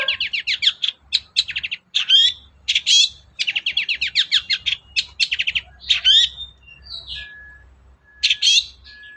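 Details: Long-tailed shrike in full varied song, played to coax a reluctant shrike to sing: quick runs of sharp, repeated high notes mixed with twisting whistled slurs and buzzy phrases, nearly continuous.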